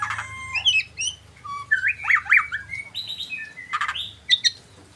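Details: White-rumped shama singing a rich, varied song of whistled slurs and rising and falling notes around mid-high pitch, with sharper chirps and brief harsh bursts mixed in, over a low background hum.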